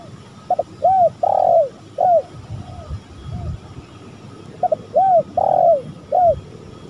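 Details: Spotted dove, male and female, used as a lure to attract other doves, giving soft arched cooing notes in two phrases separated by a pause, over steady background noise with a faint low rumble.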